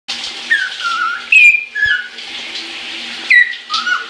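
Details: Pet caique happily singing in the shower, filmed in January 2016, giving a few separate whistled notes, some sliding downward and some rising sharply, over steady rushing water.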